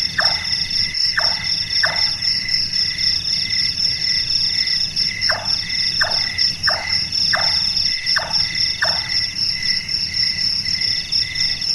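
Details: About ten percussive, falling chonk notes from a Large-tailed nightjar, a nocturnal bird said to sound like someone doing carpentry, delivered in irregular clusters with a gap mid-series, beneath a loud steady insect hum.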